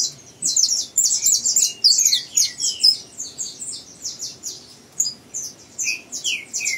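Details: Saffron finch youngster practising song at a breeding aviary, giving rapid, uneven runs of sharp high chirps about twice a second, with occasional lower slurred notes that drop in pitch.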